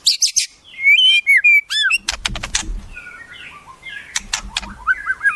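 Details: White-rumped shama singing a repertoire filled with imitations of wild forest birds, used as tutoring material for captive birds: high sharp chips, then looping whistled phrases, clicking bursts and a series of downslurred whistles.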